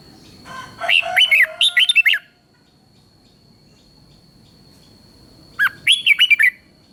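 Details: Red-whiskered bulbul from Thailand singing in the southern master style, played to excite other bulbuls and to teach young birds: two bubbly, warbled phrases of quick rising and falling notes, separated by a long pause, over a faint steady high tone.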